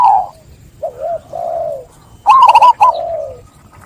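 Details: Zebra dove: soft, low wavering coos, then a loud quick staccato run of notes ending in a descending drawn-out tone.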